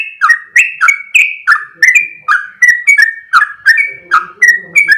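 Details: Sooty-headed bulbul singing energetically in the long 'ropel' style: quick series of whistled, slurred notes with sharp starts, about three a second, with soft lower background sounds toward the end.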